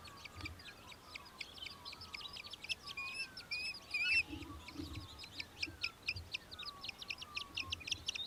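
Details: An Australian hobby from Victoria, Australia, recorded in December 2023, keeps up a dense, rapid chatter of high sharp notes throughout, with a brief whistled note from another bird near the middle.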